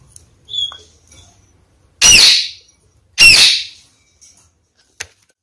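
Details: Pair of red-fronted kakariki, male and female, caged, feeding on cut peeled apples after the male's bath; two loud harsh squawks about a second apart, preceded by a thin high whistle, then a sharp click.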